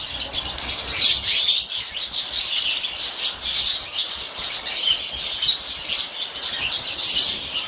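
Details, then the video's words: Several pet lovebirds chirping together, a dense, continuous chatter of high, rapid tweets and squeaks with no pauses, swelling and fading in loudness throughout. "Попугаи расчирикались - Неразлучники"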